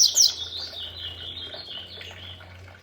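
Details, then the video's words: Double-collared Seedeater singing beside a waterfall: a bright, high, slurred burst of notes opens the phrase, then a thin, wavering whistle trails off and fades, over a faint low hum. "COLEIRO RAICHU CANTANDO COM O SOM DA CASCATA"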